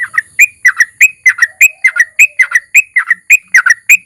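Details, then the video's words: Yellow-vented bulbul (trucukan) singing hard as a lure for other bulbuls: fast, bubbly two-part whistled notes repeated almost twice a second, each a slurred up-and-down chirp, with no gaps. "suara trucukan gacor ROPEL PANJANG DI SERTAI NARUNG Ampuh MENJADIKAN TRUCUK LAIN RAJIN BUNYI"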